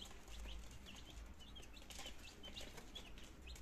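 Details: Young chicken chicks, nineteen of them, two days old and starting to eat and drink, Germany, September 2022; brief sharp downslurred peeps spaced irregularly, several per second, over a steady low hum.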